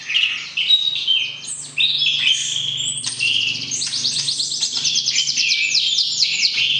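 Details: White-rumped shama in a pairing setup, singing to arouse the opposite sex before entering the breeding cage: warbled whistles leading into long rapid high trills and rattling note series, with a faint low hum beneath.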